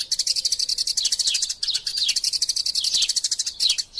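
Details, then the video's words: Fighting Eurasian tree sparrows give a master-style chatter: fast, overlapping high chirps run almost continuously, broken by clusters of falling notes and a short gap near the end. "Burung Gereja Tarung Gacor Passer Montanus passeridae Eurasian Tree Sparrow erasia suara masteran"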